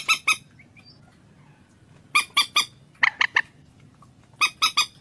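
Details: Common moorhen giving sparse, sharp, squawking notes: a pair, then groups of three rasping calls spaced about a second apart, with quiet background between.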